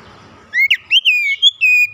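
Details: Oriental magpie-robin, a young bird in training, gives a brief string of pure whistled notes, one upslurred then several long level whistles, after a soft low murmur.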